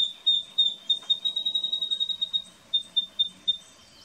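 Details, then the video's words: An Eastern spinebill in an Australian backyard garden, filmed 14 April 2018, gives a rapid run of high, sharp piping notes, three or four a second, with a brief pause before a slower final few. "Eastern Spinebill ~ Australian Backyard Garden Birds Singing"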